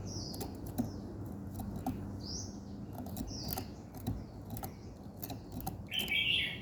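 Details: Birds singing in the morning give soft, high descending whistles every second or two. A loud, harsh chirping burst comes near the end, and frequent tapping clicks sound in the background.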